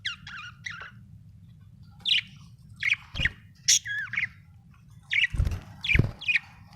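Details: Budgerigar from Australia chirping: bright, scratchy chirps and short warbled notes in scattered bursts over a low steady hum, with a few soft thumps.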